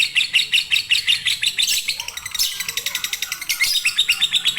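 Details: Fighter lovebird singing in the long 'konslet' style, used as a master recording to prompt reluctant birds to sing: loud, rapid, high-pitched chattering trill of sharp buzzy chirps, pulsing about three times per second without pause.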